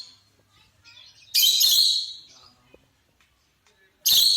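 A rosy-faced lovebird gives a harsh, shrill screech lasting almost a second, then a second piercing burst shortly after, with faint softer chirps between.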